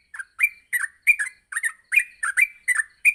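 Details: Dense yellow-vented bulbul chirping from a morning training track meant to make birds sing continuously: quick paired notes, each sliding up then down, repeated about three times per second with clean silence between groups.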